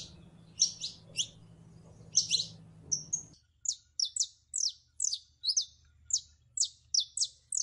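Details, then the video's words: Female canary in heat, calling for a male to mate: high chirped notes, first irregular, then a steady series of sharp chirps about two per second over a quiet background. "HEMBRA EN CELO LLAMANDO A MACHO CANARIO PARA APAREARSE"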